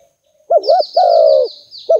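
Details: Spotted dove lure call, a low wavering two-part coo followed by a long sustained note, then another coo beginning; thin high descending chirps from another bird above.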